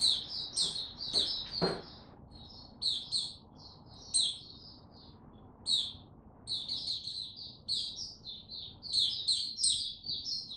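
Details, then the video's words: White-eye in captivity, recorded 6 March 2022 while slowly warming up before opening its song; bursts of rapid high twittering chirps separated by brief pauses, with a couple of low knocks near the start. "Mata Puteh Before he open buka Tsunami Video 1 gaining confidence to buka slow n steady"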